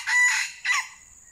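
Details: A short, loud, harsh two-part crow from a red junglefowl at a decoy trapping session where two wild birds were lured and fought, the second part cut short, with faint insect buzz behind.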